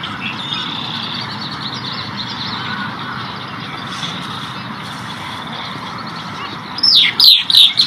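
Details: Yellow-headed blackbird on Elk Island just outside Edmonton gives a quick burst of harsh, scratchy, downward-sweeping call notes after several seconds of steady hiss and faint distant calls.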